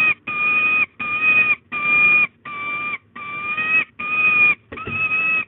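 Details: Female peregrine falcon at De Mortel, wailing and begging for prey on 8 April 2022 at 14:31: a string of drawn-out, steady, nasal wailing notes, each about half a second long, repeated with short gaps.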